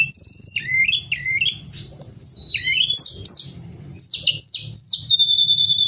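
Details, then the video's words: Gacor song of a Pied bushchat (Tledekan Gunung) for tutoring caged songbirds: dense looping high whistles and swooping phrases in quick bursts, a brief pause, then a steady run of repeated chirps ending on a flat note. "Tledekan Gunung Gacor"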